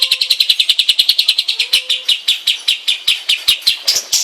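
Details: Long-tailed shrike kept at home, singing a rapid series of sharp, high chattering notes, roughly six per second, steady and insistent, with a faint low whistle beneath.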